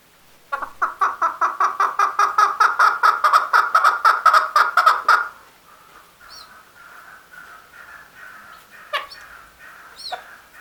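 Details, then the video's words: Male chukar giving a rapid run of about twenty harsh, clucking chuk notes, evenly repeated for roughly five seconds, then fading into softer, lower-level chuckling notes with a few sharp, brief clicks near the end. "Chakor Sound | The Best Voice of Chakor/ Chukar | Male Chakor ki Awaz"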